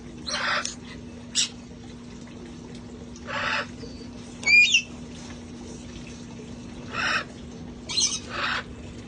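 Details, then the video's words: Parrots from a rescued flock enjoying time outdoors before cold weather: harsh squawks spaced every second or two, with one short upward whistled note midway, over a constant low hum. "sights & sounds of parrots having fun outside enjoying life"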